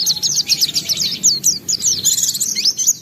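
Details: Singing white-eye in gacor form with beak open, pouring out a dense, high, continuous warble of rapid twittering notes and scratchy slurs, faint background murmur beneath.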